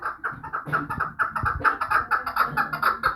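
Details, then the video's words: Vanj chukar partridge calling in a rapid run of hoarse chuck notes, roughly two per second, over a low rumbling background noise. "Кабки Ванҷ"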